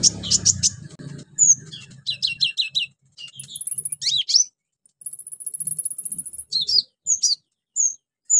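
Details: Orange-headed thrush pouring out a fast, mimicry-filled song meant to spur silent birds to sing: rattling chirp series, long high sustained trills and slurred whistles, with a brief low hum at the start.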